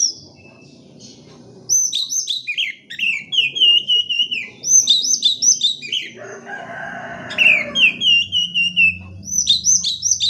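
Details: Oriental magpie-robin song meant to prompt reluctant birds into singing: rapid series of high downslurred whistles and chattering notes, a harsher buzzy stretch in the middle, then more quick whistled phrases.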